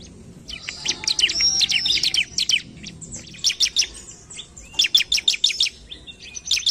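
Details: A bar-winged prinia sings fast and vigorously to provoke a rival: a dense, buzzy high chatter opens, then irregular runs of sharp, high chirps follow at roughly three per second.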